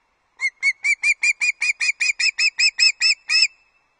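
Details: Osprey at Loch Arkaig nest bringing an early breakfast, 31 August 2022: a clear run of about fifteen short whistled chirps, evenly spaced several per second, slightly rising in emphasis toward the end, otherwise quiet.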